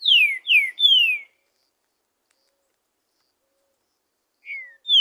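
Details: Free-living green-winged saltator singing in the woods: a phrase of three ringing, down-slurred whistles, then a pause of about three seconds before a softer falling note and the start of another loud whistle.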